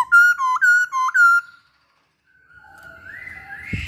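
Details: Four or five loud, clear whistled notes from a masked laughingthrush, each stepping down then up, in rapid rhythm, then silence and faint distant whistling with background noise.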